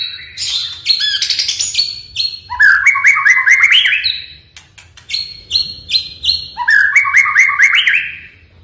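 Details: Oriental magpie-robin song used to make a quiet caged bird sing again: bright varied whistles, rapid stepped trills, sharp repeated chips and rising warbled phrases in two loud bursts.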